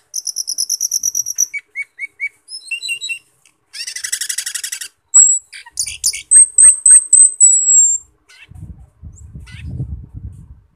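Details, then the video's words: Asian glossy starling (cucak keling) giving lively gacor song meant to stir other birds to sing. Rapid high pulsed notes, short chips, a dense buzzy rattle, then a string of sharp whistles. Low rumbling noise comes at the end. "Pancingan Cucak Keling Biar Gacor Teler | Cak Keling Gacor Teler"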